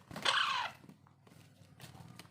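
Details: During hand-feeding, a pet Alexandrine parakeet chick (raw or pahadi parrot) gives one short, harsh, raspy begging squawk that slides downward. Soft rustling follows.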